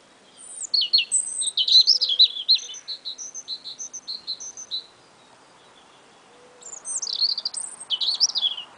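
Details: Early spring, two small birds singing together: a long run of bright, high twittering with repeated whistled phrases and chattering trills, a pause, then another quick warbling burst.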